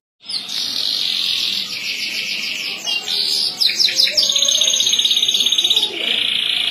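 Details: Domestic canary in a singing contest delivering a long unbroken high song: a sustained rolling trill, then fast ticking repeated notes, a rapid rattling run and a steady buzzy trill to the end.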